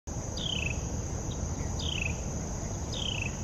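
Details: Carolina wren calling in the morning at Tuckahoe Creek Park, recorded on a Canon PowerShot SX70 HS: three short, buzzy, descending notes about 1.3 seconds apart over a steady high insect drone and low rumble.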